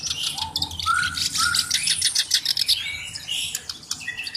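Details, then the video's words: Black-browed reed warbler used as a tutor bird, singing a varied, busy phrase of harsh chatters, short whistled slurs and high, buzzy trills. "BURUNG KERAK BASI ALIS HITAM GACOR"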